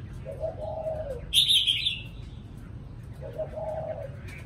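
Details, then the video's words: Spotted dove cooing in the thổ cụ manner: two low, mellow coo phrases, with a loud, buzzy burst of high chirping from another bird between them. "CU GÁY THỔ CỤ"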